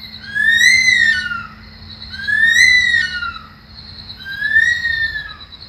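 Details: Bush stone-curlew (Burhinus grallarius) in an Australian garden in the early morning, giving three eerie, woman-like screaming wails, each rising then sliding down, about two seconds apart, over a steady high insect drone and low hum.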